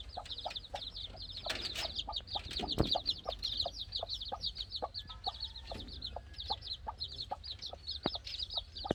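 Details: Playing chicks chirp continuously with dense, high, rapid peeps, accompanied by steady soft clicks, a few louder knocks, and a low rumble underneath.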